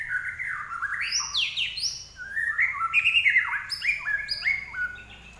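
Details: Larwo, or common iora, in full lively song. It gives sweeping whistled slurs that rise and fall, then a quick string of short descending chirps. A faint low hum sits behind it.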